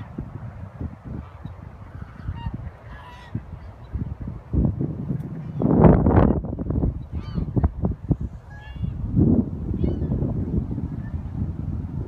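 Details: Many geese at the Marin Civic Center Lagoon, where they live in numbers, give scattered nasal honks over a steady low rumble, building to a louder burst of calls near the middle.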